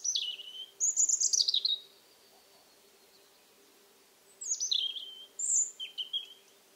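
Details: Robin singing at dusk by an old Alentejo house among cork oaks, mid-October 2014 after unseasonal warm, damp weather; two high, tinkling phrases of wavering, descending notes separated by a pause of over two seconds, with a faint steady hum beneath.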